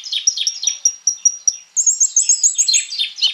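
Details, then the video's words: Crimson Sunbird (konin) in full, varied song, used as a lure recording to prompt other sunbirds to sing. High, thin notes repeated rapidly, then a faster run of sharp rising chips near the end. "KONIN GACOR FULL ISIAN MENTAL BAJA COCOK BUAT PANCINGAN KOLIBRI NINJA PASTI NYAUT IKUT BUKA PARUH"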